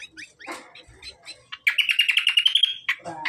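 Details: Hand-reared leafbird singing as a master recording: a few scattered chirps, then a bright run of rapid, evenly repeated whistled notes at steady pitch, closing with a short squeaky phrase.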